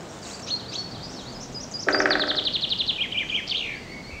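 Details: Great spotted woodpecker, Dendrocopos major, near its newly fledged young while feeding them: high thin chirps, then a fast run of sharp repeated notes and a brief broad rustling burst over steady background noise.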